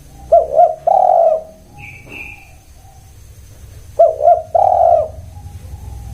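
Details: Spotted dove coo phrases, two short notes then a sustained husky coo, repeated twice about four seconds apart. A brief high thin whistle from another bird sounds between them over a low background hum.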